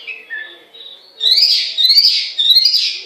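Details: Chinese hwamei, or Melodious Laughingthrush (Garrulax canorus), singing: soft whistled notes give way to loud, rich, rapidly modulated warbling phrases, three bursts in quick succession, high and bright, with no other sounds evident.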